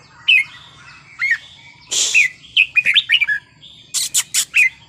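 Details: Red-whiskered bulbul in Thai wild-style song. Lilting whistled notes are broken by a brief rushing noise, then a quick run of warbled phrases and four sharp clicks before a final whistle.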